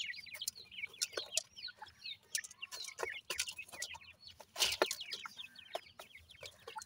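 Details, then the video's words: Several francolin chicks, heard with their family, peep rapidly in thin descending notes. The peeps overlap into a lively, uneven chorus broken by clicks and rustles, with one louder burst near the end. "baby teetar with family,pheasant baby voice"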